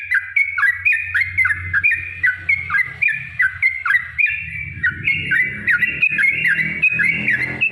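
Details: Yellow-vented bulbul giving a long, rapid lure song meant to provoke other bulbuls into singing: bubbly, rolling phrases of quick falling notes repeated without pause, with a faint low hum underneath.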